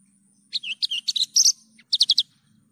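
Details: Short phrase from a Javan bush lark, recorded clean for training other birds: varied slurred chirps and buzzy notes, then four quick even chips, over a faint low hum.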